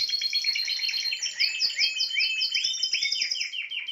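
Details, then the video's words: Spanish timbrado canary giving a continuous loud trill: rapid high notes layered over looping rising whistles, sustained steadily throughout. "chant des oiseaux timbrado espagnol"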